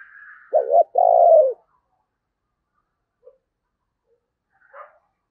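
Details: Spotted dove used as a decoy, calling to draw in wild doves: a faint high whistle, then one low cooing phrase, a short double note and a longer sustained croon, followed by near silence with faint distant chirps.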